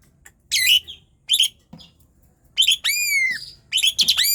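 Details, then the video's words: Insistent 'gacor' singing of an Asian pied starling, used to coax lazy birds: short squeaky chatter notes, then a long harmonic whistle arching downward, followed by dense, rapid phrases. "Jalak suren gacor NGOTOT"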